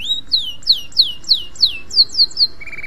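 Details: Canary singing a training master song: a rising whistle, then eight clear down-swept notes repeated roughly three times a second, closing on a flat lower tone.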